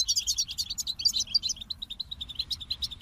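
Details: Goldfinch song delivered as a quick, bubbling string of high twittering notes at about three per second, the sparkling opening phrase giving way to steadier chirps, over faint low background noise.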